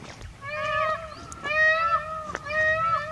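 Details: Indian peafowl (peacock) in Rajasthan, India, giving a series of nasal, harmonic calls about once a second. Each call has flat and slightly bending parts, and sharp clicks sound between calls.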